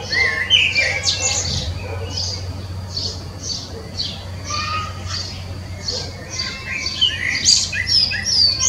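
Common blackbird singing: a few low fluted phrases among rapid, high, squeaky twitters repeated about twice a second, over a steady low hum.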